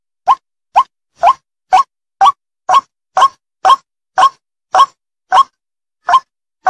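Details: White-breasted waterhen (Amaurornis phoenicurus), call: challenging a rival to fight.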